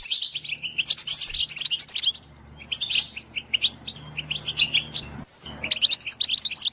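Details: Goldfinch song used as a training stimulus for songbirds: bursts of rapid high twittering and tinkling notes, several dense phrases separated by brief pauses, with a faint low hum underneath.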